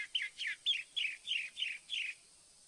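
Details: Northern mockingbird song: seven bright, slurred notes dropping in pitch, delivered in a quick evenly spaced series before stopping, with a clean quiet background.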